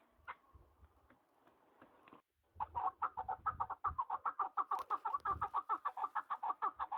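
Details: Partridge sounds in the mountains: a faint note and a pause, then an energetic, rapid chuckling series of clipped notes, several per second, growing steadily denser.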